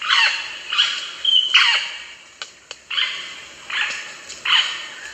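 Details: Rosella giving a run of loud, harsh, screechy calls that sweep downward, repeated roughly every second, with a few short whistled notes mixed in and two sharp clicks in a quieter gap.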